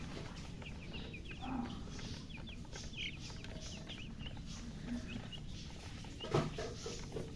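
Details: Thirsty chicken chicks wanting water give scattered thin, high peeps in short bursts, fainter and sparser, over steady low-pitched background noise.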